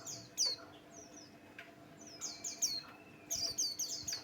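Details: Lure song of a Buxtoni white-eye, used to provoke other birds to sing: thin, high, downward-sweeping notes in short rattling clusters, the densest burst near the end.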